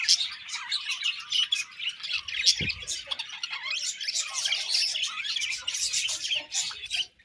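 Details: A happy budgerigar colony fills the air with continuous twittering and rasping chirps from many birds; a single low thump sounds briefly under the chatter.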